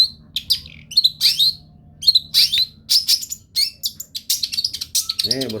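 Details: Long-tailed shrike in lively full song: rapid varied chirps, whistles and harsh notes packed with sweeping high phrases, over a low steady hum, with a short burst of a lower call near the end.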